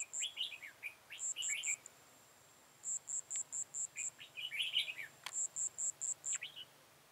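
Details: Red-whiskered bulbul kept as a trapping decoy, recorded 13 October 2018: several clusters of bright, twisting warbled notes, interspersed with regular trains of piercing high beeps and an unbroken faint high tone.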